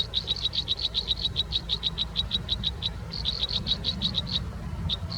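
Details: Nestling American robins in their nest during feeding by a parent bird, nesting season: a fast run of sharp, high-pitched cheeps, briefly interrupted near the middle, then resuming, with a low background hum.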